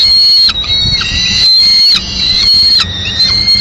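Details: Peregrine falcons at a nest in Madrid, 15 May 2016, as the male arrives with a still-living swift: long thin high whining calls held steadily for over a second each, repeated with short breaks.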